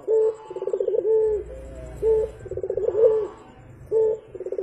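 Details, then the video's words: A Javan turtle dove (puter) calls on a morning training recording: short level coos alternate with quick rattling, rolled trills, in a rapid back-and-forth rhythm. "BURUNG PUTER GACOR"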